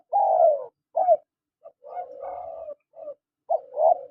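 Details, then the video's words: Spotted dove calls from a male and female: several rough, cooing notes with a long, falling first coo and a drawn-out, wavering middle note, short clipped coos between, over a quiet background. "SUARA PANGGILAN TEKUKUR JANTAN DAN TEKUKUR BETINA"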